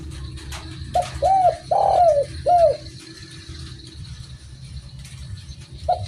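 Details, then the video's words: A single phrase of soft, hollow, arched coos from a spotted dove, followed by quiet with steady low background noise and a faint note at the end. "BURUNG DERKUKU MANAPUN PASTI IKUT BUNYI DENGER SUARA INI || SUARA FULL GACOR"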